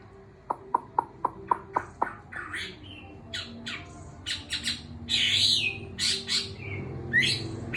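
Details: Chinese hwamei kept six months in a cage, coming back into song after molting: a row of dry ticking clicks gives way to harsh squawky bursts and a few loud whistled phrases.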